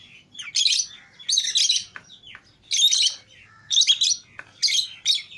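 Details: Pet lovebird pairs (green Fischer's and lutino), let out of the cage together, give harsh, shrill, high chirp bursts about once a second, with squeaky thin notes between the louder flurries.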